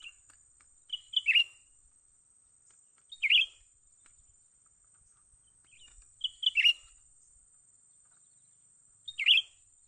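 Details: Young bulbul (cucak ranting) during a luring session for trapping: short bright chirpy notes in quick two- or three-note clusters, repeated about every three seconds, over a steady high electronic-sounding whine.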